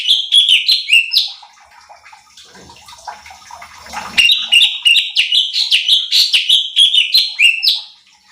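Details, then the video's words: Cucak cungkok bulbul song used to provoke other birds: fast repeated whistled notes that swoop up and drop, a soft noisy interlude in the middle, then another long energetic run. "CUCAK CUNGKOK GACOR || Pancingan Cucak Cungkok Malas Bunyi | Bikin Emosi Burung Lain"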